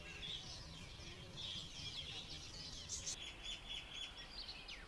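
Cliff flycatcher giving quick, high chirping notes that overlap in a busy run, with a steady thin whistle-like tone in the second half and low background rumble.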